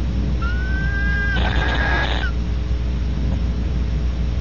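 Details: Female Barn owl wheezing after mating at Audubon Starr Ranch, California, as the male sneaks up before the pair leaves: a drawn-out steady whistle lasting about a second, then a harsher, hissy, breathy burst with a whistle running through it, over low steady hum.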